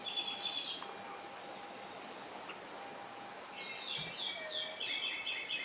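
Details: A newly fledged Owston's white-backed woodpecker on Amami gives short, high, squeaky chirps in quick bursts, about four a second, over a soft background hiss.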